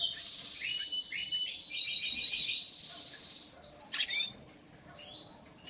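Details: Hybrid of Lawrence's goldfinch and white dominant canary from a breeding pairing, giving rapid twittering trills and buzzy phrases, then a sharp note and a thin, sustained high whistle near the end.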